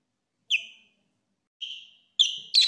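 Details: Pet budgies give three short, sharp chirps, each dropping slightly in pitch, with pauses between the first two, then two quick notes close together at the end; the room is otherwise quiet.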